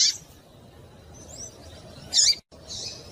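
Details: Calling female rusty-collared seedeater in breeding condition, meant to stimulate the male: short shrill chips at the start and near the end, with faint thin whistled notes between, over soft background noise.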